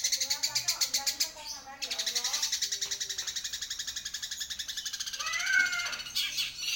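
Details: Long-tailed shrike singing vigorously: a long run of rapid harsh pulses, about four each second, buzzy and broad, shifting into a scratchy rising note near the end.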